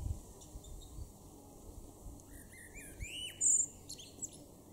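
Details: A male Common blackbird (Turdus merula) sings in a garden in Norden, East Frisia, northwest Germany, in May 2024: a soft, low fluted phrase ending in a sudden high, squeaky twitter, over faint rumble and distant chirps.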